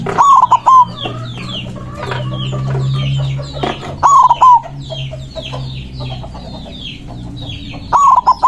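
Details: Excited white zebra dove with a loud voice, singing to summon rivals. Three rhythmic coo phrases come about four seconds apart, each a quick broken roll, over busy high chirping of other birds.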